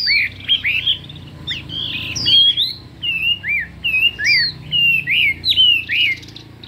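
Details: Chinese hwamei singing in contest with many voices and fiery intensity, a stream of short slurred whistles, swooping up and down, each phrase distinct and rapidly alternated, with faint low hum behind.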